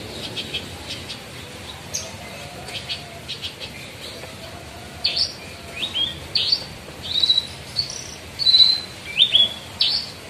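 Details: Caged lark, a spotted Javan bush lark kept for song, sings a series of thin high whistled notes and short upslurred chirps, sparse at first, then brisk and dense over the second half.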